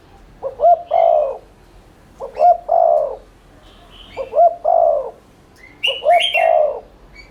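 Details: Lure recording of a spotted dove in 'thúc liên thanh' style, meant to stimulate cooing. Four deep coo phrases follow steadily about two seconds apart, each two clipped notes and a long sagging coo, with faint high twittering near the end.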